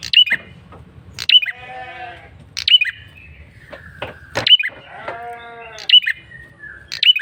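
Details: A male prinia with a red-headed look gives a repeated insistent lure call: sharp, high chirps with curled endings about every 1.3 seconds, alternating with nasal, wavering bleat-like tones.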